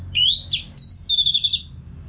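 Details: Orange-headed thrush in a cage singing for bird training: a brief phrase of rising, sweet whistles followed by a long, steady, high whistled note.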